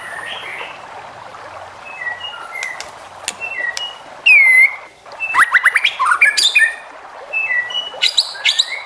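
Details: White-rumped shama song meant to provoke other shamas to sing: varied whistled phrases, a loud rising-falling whistle midway, then a rapid burst of sharp upswept notes and scattered high ticks.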